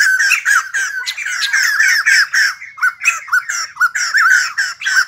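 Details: White-crested laughingthrush, kept bird, singing and dancing: fast series of harsh squawky notes, later spaced into separate rising yelps about three per second.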